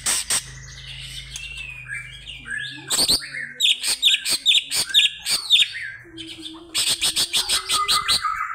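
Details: Greater green leafbird calling to a rival with busy, varied chatter: sharp clicks, high whistles and rapid ticking notes in quick succession, plus a steady low tone in the background.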